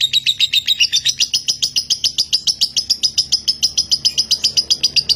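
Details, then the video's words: Lovebird bred in Nganjuk, Indonesia, singing in the long continuous konslet style: a fast, unbroken run of sharp, high chirps, about four per second, pitch stepping slightly upward, steady and loud throughout. "LOVEBIRD KONSLET"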